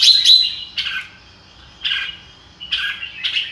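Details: Red-whiskered bulbul giving a few separate "ro kích bổi" phrases, each a quick bright whistle falling into a softer warble, spaced by about a second of quiet.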